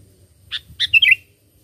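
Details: Sooty-headed bulbul song for luring birds: a short burst of four or five bubbly, slurred whistled notes delivered rapidly within about half a second.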